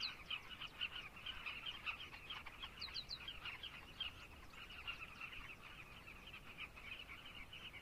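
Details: A steady, busy chorus of carmine bee-eaters in Zambia, with many birds giving rough, rolling notes at once. A few quick high chirps sound in a short run near the middle.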